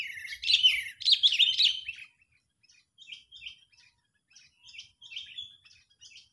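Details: Sooty-headed bulbul calling agitatedly, recorded as a lure for trapping birds. It opens with two seconds of loud, dense chattering chirps, then comes short, softer bursts of high twittering notes separated by brief pauses.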